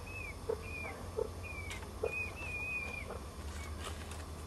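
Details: Three-day-old peafowl chicks on a porch, calling their mother with short, high whistled peeps that slide slightly downward, repeated at irregular intervals, with a few soft thumps and steady low background hum.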